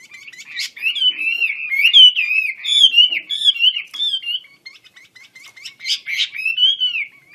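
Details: Wambi kembang Chinese hwamei singing hard with wings spread: a long, flowing run of wavering, mellow whistles. After a short pause come clipped notes, then a final rising and falling whistled phrase.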